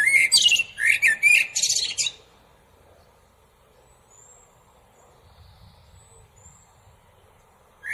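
A common blackbird gives a two-second burst of rapid, squeaky, chirping notes, then falls quiet apart from faint distant high whistles before the next phrase starts.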